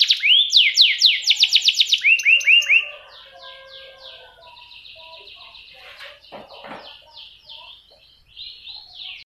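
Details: Canary delivering loud rolling tours of quick descending whistles for about three seconds, then continuing with softer, varied twittering phrases and short trills.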